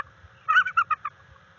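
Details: Bald eagle at its nest on 21 February 2022, recorded by a live camera during mating and territorial behaviour. A brief series of five or six clear, squeaky piping notes that shorten and thin toward the end, over faint low rumble.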